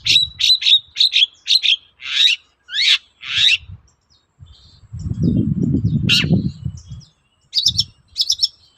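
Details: Long-tailed shrike singing steadily, a lure meant to draw replies from other shrikes: a run of sharp, rasping notes repeated about twice a second, then a pause, a loud low rumble, and more scratchy bursts.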